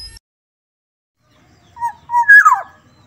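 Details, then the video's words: Black-naped oriole from Sumbawa with a soft voice: after a long silence, two short low whistled notes lead into a loud, fluty phrase that slides steeply downward, in a quiet setting. "kepodang sumbawa suaranya Lembut"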